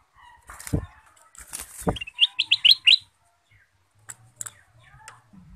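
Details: Sooty-headed bulbul (Pycnonotus aurigaster), song.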